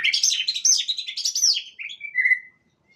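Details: White-rumped shama (murai batu) in full song, described as a champion singer in the 'nyosor macul macul' style: a rapid jumble of rich, varied whistled and chattering phrases, then a few lower, clear drawn-out whistles, with no other sounds.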